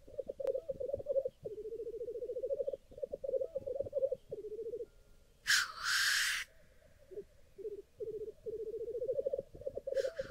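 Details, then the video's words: Black grouse lekking on a cold, frosty morning in Sweden, recorded with a Nikon Z6 II camera: steady pulsed bubbling cooing that rolls on for seconds at a time, broken by two loud breathy hissing sneezes. "BLACK GROUSE LEK"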